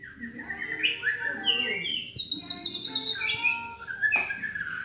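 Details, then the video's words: Young caged White-rumped shama of the black-legged Medan type, about 3.5 months old with juvenile plumage, at a house in Yogyakarta: loud, varied whistled phrases sliding up and down, with brief rasping notes and faint voices in the background. "Istimewa Murai Trotol Gacor Dor-Murai Batu Medan Kaki Hitam Trotol-Lagu Murai Medan-Trotolan Murai"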